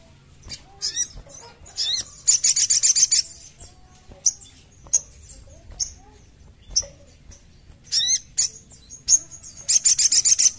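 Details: Crimson sunbird (sogon) song used as therapy to bring caged birds into song: repeated bursts of very high rapid buzzy trills alternating with sharp thin chips and brief pauses.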